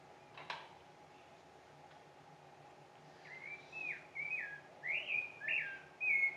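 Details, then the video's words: Rufous-bellied thrush (sabiá-laranjeira), orange-breasted, singing six clear, fluted whistled phrases, rising and falling, about two per second, ending on a longer level note, as its last notes always are; a click and faint steady hum first. "e o sabiá-laranjeira Esse é o canto do sabiá laranjeira Observe escutem apreciem E aí"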